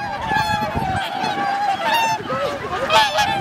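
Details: A wintering flock of whooper or tundra swans at Lake Hyoko, Agano, Niigata, Japan, on 8 January 2022 (2,628 swans counted) keeps up an overlapping chorus of nasal, bugling honks in a steady jumble, with a faint background murmur.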